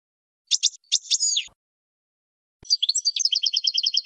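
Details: Goldfinch song for training young birds: sharp chirps and a falling slur, a brief gap, then a rapid rhythmic series of repeated twittering notes.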